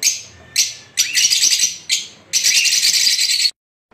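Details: High, hissy finch chirping in dense bursts, each lasting up to a second. Short gaps separate the bursts, and the sound stops abruptly near the end.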